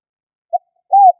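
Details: Spotted dove call used as a trapping lure; a brief low coo note followed after a pause by a longer, smooth, slightly arched coo, with a silent background.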